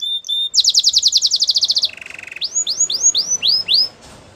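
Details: Belgian canary in training song delivers a bright rapid trill of repeated notes, a lower buzzing rattle, then a slower series of six or seven clear arching whistles.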